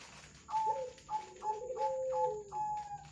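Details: Zebra doves, local and Bangkok types, mixed with local spotted dove, played as a lure sound to make birds sing: a rapid string of short, even, higher-pitched coo notes over a lower, longer sliding coo, with a faint constant hum behind.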